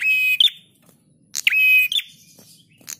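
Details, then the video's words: A bar-winged prinia gives loud, high, buzzy whistled notes, each held about half a second and ending in a sharp chip, repeated with short pauses; a recording meant for training other birds' song. "Masteran Prenjak Tamu GACOR"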